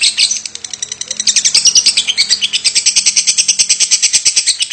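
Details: Lovebird 'batuk' or coughing call delivered continuously without a pause; after a quieter opening, the bird breaks into loud, rapid, high-pitched chattering chirps repeated several times a second, with a faint low hum underneath.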